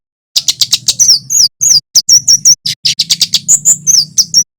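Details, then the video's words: Olive-backed tailorbird, a male in full song, recorded as a lure for wild small birds. Dense bursts of shrill, sharp chirps alternate with slurred whistled notes, broken by short gaps, over a faint low hum. "Suara kemade jawa / cit keres gacor"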